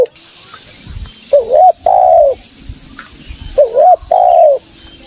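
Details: Wild spotted dove answering a lure and searching for a rival: two mellow cooing phrases, a short wavering coo then a drawn-out falling coo, with a steady background hiss.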